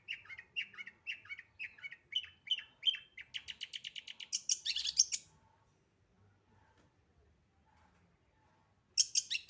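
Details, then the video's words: Long-tailed shrike in full, fast, dense song: rapid repeated chattering phrases that speed into a harsh high scratchy burst, a pause, then another loud burst. "BURUNG CENDET GACOR FULL ISIAN SPEED RAPET"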